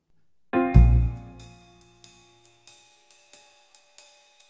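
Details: Music only: a deep struck piano chord rings out, followed by soft, evenly spaced percussive taps with sustained high tones; no animal sound.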